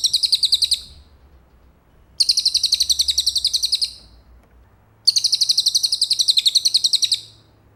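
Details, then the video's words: Cililin song meant for training a white-rumped shama: bursts of fast, dry, buzzing pulses lasting one to two seconds, three bursts separated by short silences, with a quiet low hum in the background. "isian cililin buat murai juara"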